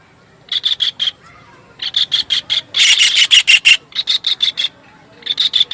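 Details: Kingfisher giving harsh, rasping chatter in short bursts of four to eight notes, about three notes a second, with brief pauses between bursts.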